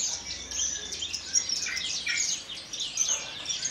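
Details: Javan bush lark from Kulon Progo, Java, a captive bird singing in the Jambul manner with wing-quivering. Rapid, very high, sweeping chirps and ticks mixed with downslurred notes, all fairly even in loudness.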